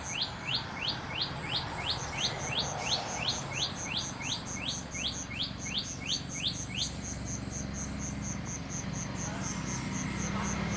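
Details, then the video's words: Flameback woodpecker in Chiang Rai, Northern Thailand; a run of about twenty quick upslurred notes, roughly three a second, lasting seven seconds, then stopping, over a steady high pulsing of insects. "At 10:50 you can hear a Flameback Woodpecker."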